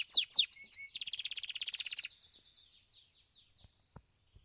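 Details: Belgian domestic canary singing during a competition, starting with sharp falling notes and short whistles, then a fast pulsed trill about one second long, trailing into soft fading notes and occasional clicks.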